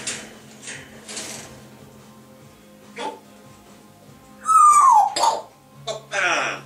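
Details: Two grey parrots chattering and whistling: soft breathy, hissing noises, then a loud clear whistle sliding downward, followed by short squawky chatter, with a steady low hum in the room.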